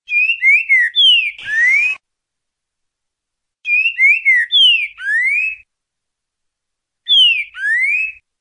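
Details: Green-winged saltator of the "boca mole" type giving "ti boi" song, used to train birds: three clear, whistled phrases of slurred, rising and falling notes, each about two seconds long, with pauses between. A brief rattling click interrupts the first phrase.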